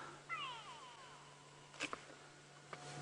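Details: A bird gives an alarm call, a short run of falling whistled notes, on an afternoon game drive at Djuma, South Africa, where lion dung was smelled nearby; sharp knocks follow, over a low steady hum.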